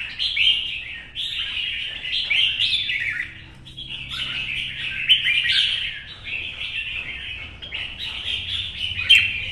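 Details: Red-whiskered bulbul, wild-caught and caged, singing against rivals in the morning sun in Vietnam: repeated rich whistled, slurred phrases in several long bursts separated by brief quieter gaps.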